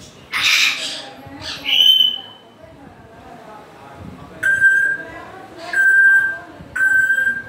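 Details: Grey parrot opening with a rough squawk and a rising whistle, then three clear, level whistles repeated about every 1.3 seconds.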